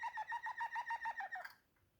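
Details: Waterslager canary giving a quick run of about ten round, bubbling notes at a steady mid pitch, each slightly dipping, before the phrase fades into quiet.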